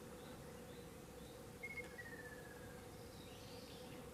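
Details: Ruddy kingfisher giving a single faint, drawn-out whistle that slides steadily downward over about a second, heard against a constant low hum and soft insect-like background noise.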